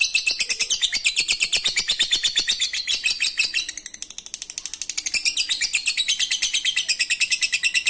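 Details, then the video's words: Long ngekek trill from a lovebird, used as a lure for lovebirds that will not sing: eight seconds of unbroken, shrill, rasping chatter, dipping briefly in loudness midway. "Lovebird ngekek Receh Mantap Untuk Pancingan Lovebird malas bunyi"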